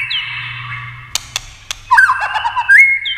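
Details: Many-voiced competition singing from a white-rumped shama: a held whistle over a low hum, a few sharp clicks, then a burst of quick slurred, warbling notes ending in a rising whistle.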